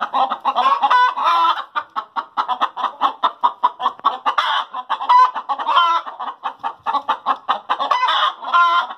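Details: Chickens after laying eggs produce evenly spaced short clucks, roughly three a second, interrupted by drawn-out squawks at the start, midway and toward the end.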